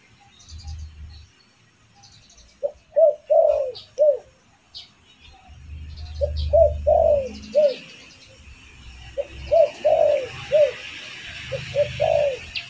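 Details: Spotted dove lure call used to attract birds: low, mellow cooing phrases of three to four notes, repeated in bursts several seconds apart, over low rumbling background noise and faint higher chirps.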